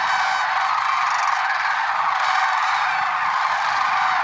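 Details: A steady clamour of lesser sandhill cranes in the early morning at Merced National Wildlife Refuge, February 6, 2023: countless overlapping rattling trumpet calls with no gaps.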